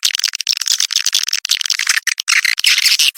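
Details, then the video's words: Swiftlets giving a 'Birahi Lintas Senja' courtship call, used to attract the birds: continuous crowded, harsh high chattering with fast irregular clicks and twitters throughout, no pauses. "SP BIRAHI LINTAS SENJA ORI 2023 | Suara walet Terbaru"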